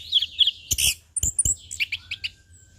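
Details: Anis kembang, the orange-headed thrush, in relaxed ngeplong song used to train and lure birds: high rapid twittering notes, two brief broadband bursts, then a string of quick clipped chirps.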